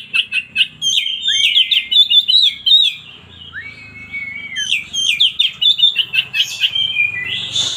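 Oriental Magpie-Robin singing a rich, varied run of sweet whistles, trills and slurred notes, delivered in quick bursts with brief pauses between phrases.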